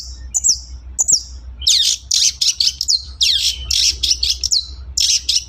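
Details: Long-tailed shrike in a lure recording from Indonesia: a few isolated falling whistles, then bursts of harsh, buzzy high chatter with downward slurs, over a steady low hum.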